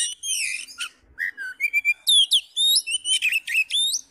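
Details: Oriental magpie-robin male in full fighting mode, singing persistently to provoke other males; clear loud whistled phrases with rising and falling slurred notes and quick chirps, varied and rapid, over near silence.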